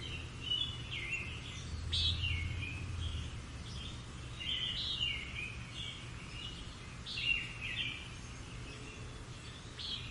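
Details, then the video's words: Morning song of European robins around rural ruins: short, sweet warbled phrases in quick succession, some sharper high notes rising above, separated by brief pauses, with a constant low background hum. "Robins Singing Beautiful Birdsong Surrounded the Morning"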